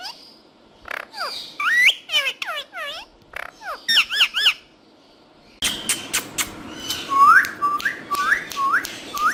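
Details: Green talking parrots utter curved, chirping whistles in quick clusters, then a short silence. A noisier stretch follows, with sharp rising squeaks over a steady background hum.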